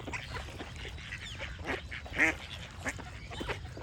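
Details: Scattered duck quacks, fewer and more spaced than a full chorus, with one loud ringing nasal quack about two seconds in, softer calls around it and light bird chirps behind.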